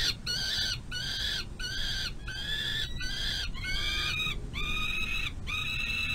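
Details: Peregrine falcon chick at a nest box during its mother's feeding at dinnertime, 25 May 2022. Repeated hoarse, wailing screeches, later notes clearer and more tonal, with a low mechanical drone in the background.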